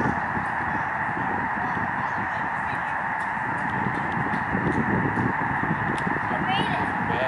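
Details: Huge migrating flock of snow geese on Lake Springfield, Illinois, seen from a lakeshore garden: a dense, continuous roar of countless overlapping honking calls with no single voice standing out, steady and loud throughout.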